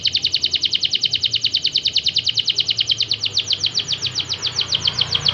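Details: Canary song played to prompt sluggish canaries to sing: an unbroken rolling trill of quick repeated notes, around seven per second, holding an even pitch throughout.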